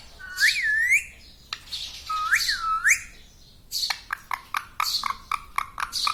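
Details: Talking pet green ring-necked parrot at home; two looping, U-shaped harmonic syllables about two seconds apart, followed by a rapid series of short, sharp chirping notes.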